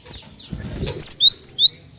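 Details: Cinereous tit call played as a lure: a rapid run of four piercing, high, down-and-up slurred whistles after brief low rustling.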